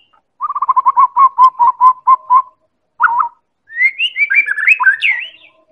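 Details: White-rumped shama of the Medan type, a lure for other birds: a fast run of repeated identical notes slowing down, a short double note, then a rich varied whistled flourish.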